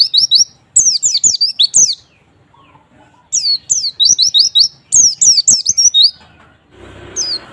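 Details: White-eye song played as a lure to get reluctant white-eyes singing readily: bursts of rapid, high, thin sweeping notes strung together, a brief pause midway, then more chattering bursts, ending with a soft rustling noise.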